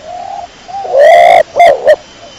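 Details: A single pigeon coo phrase: a soft low lead-in note, then one loud drawn-out coo and two short choppy pulses.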